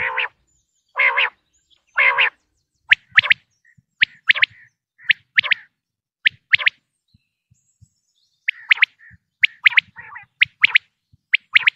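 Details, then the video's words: Male and female common quail calls used by Pakistani hunters: three lower, harsh grating notes open, followed by scattered sharp high chirps in small clusters with short silences. "quail sound effect video"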